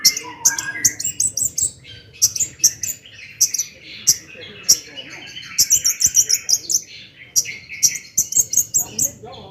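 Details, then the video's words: Long-tailed shrike's lively 'gacor' song in the 'toet toet' style, used as a lure to rouse other shrikes to sing. A dense, varied chatter of high whistled notes, trills and rapid bursts continues throughout. "kicau cendet gacor toet toet AMPUH buat PANCINGAN CENDET AGAR EMOSI"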